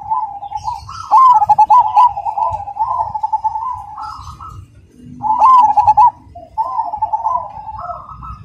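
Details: Loud, clear, rhythmic singing from a Cemani zebra dove: long runs of rapid, bubbling trilled coos, a brief pause, then further rolling phrases ending on a higher note.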